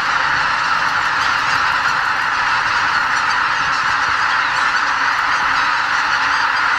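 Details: Around 80,000 greater white-fronted geese leave their roost before sunrise at Miyajimanuma, a Ramsar wetland in Bibai, Hokkaido, Japan, during a spring migration stopover; a dense, unbroken chorus of honking fills the air.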